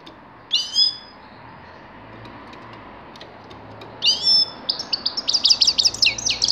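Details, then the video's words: Grey-crowned goldfinch song in 2019: bright twittering phrases high in pitch, a short burst, a pause of about three seconds, then a longer run of rapid tinkling, trilled notes. "Седоголовой щегол"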